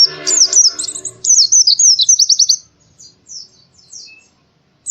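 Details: Morning song of an Oriental white-eye: fast, high, tumbling twitters with a run of quick repeated notes, then softer scattered chirps; soft piano-like music underlies the opening second.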